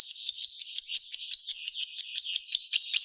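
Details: Rapid ngekek chatter of a lovebird in the 'ngetik' style, said to make any lovebird and rivals start singing: evenly spaced, sharp, high, buzzy notes, about five per second, throughout.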